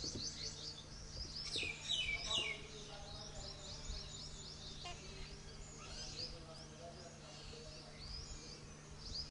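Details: Jungle babbler from the Indian Subcontinent, a bird that forages in groups of six to ten: rapid, high, squeaky chattering notes tumbling in quick runs, some louder strident bursts early on, over a steady low hum.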